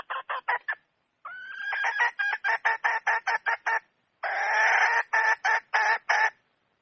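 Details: Red junglefowl hen in the wild: quick clucks, then a rising drawn note flowing into rapid repeated pulses, a short gap, and a coarse buzzy burst followed by more clucks.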